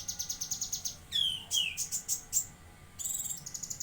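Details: Cucak kinoi bulbul from Jambi singing actively: a fast run of regular high chirps, then downward-sliding whistled notes and buzzy bursts, before the rapid chirping resumes.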